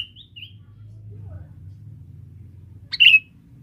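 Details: Sooty-headed bulbul, a male used as forest bait to lure females: a couple of faint whistled notes, then one loud, sharp chirp sliding into a brief trill, with quiet low background noise.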